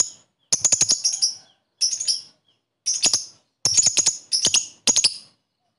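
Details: Lovebird chirping meant to get listless lovebirds singing: clusters of rapid, bright, metallic chirps, three to five notes per group, coming in quick succession.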